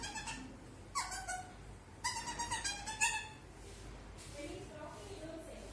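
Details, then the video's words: Pet bird in its cage before bedtime around 8 pm, trying new sounds: a sharp squeak, then a quick series of five or six clipped, harmonic, talk-like notes, fading into softer low mutterings. "Rio's Making New Sounds"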